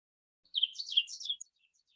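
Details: An Ovenbird sings its very loud song, a brief burst of high, ringing chirped notes lasting about a second of rapid phrases, with no other sounds.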